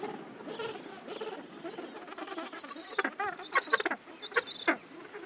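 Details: Gentoo penguin rookery late in summer, thousands of birds calling together. Overlapping low chatter at first, then from the third second a run of pulsed, harmonic, nasal calls from several nearby birds, uneven in rhythm.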